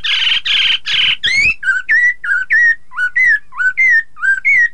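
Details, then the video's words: Chinese hwamei song meant to stir rival birds to sing: three loud harsh bursts, then a run of rich whistled notes, upslurred and downslurred, about two per second. "Terapi poksay hongkong agar lawan ikutan bunyi"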